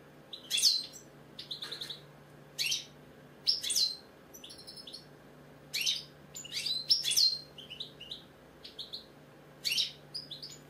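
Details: Singing European goldfinch, British, delivering lively tinkling twitters and buzzy trills in quick bursts separated by brief pauses, high and liquid throughout, over a faint low hum.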